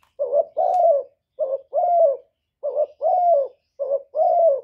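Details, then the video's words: Spotted dove kept as a decoy, cooing to provoke other doves; four quick phrases in under five seconds, each a short clipped note then a longer, slightly falling hoarse coo, in a quiet setting. "Chim Cu Gáy Mồi gáy gù cực chất, kích mồi kích bổi cực chuẩn, Cu đất bo, cu gáy kèm dập, tiếng cu"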